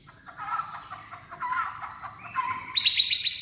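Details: White-rumped shama in rousing, many-voiced song: jumbled warbling phrases at mid pitch that break into a fast, very high, repeated chattering trill near the end.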